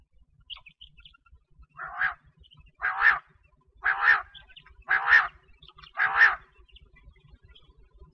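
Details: Common quail (Coturnix coturnix) gives five harsh, clipped calls, each a rough double-pulsed burst, about one per second, over a quiet low rumble.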